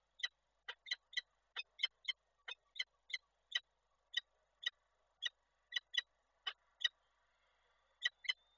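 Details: Peregrine falcon female at a webcam nest in Koszalin, Poland, 28 January 2024, during a visit by the male. A long series of rasping kek notes, fast at the start, then slower, with a faint thin tone near the end.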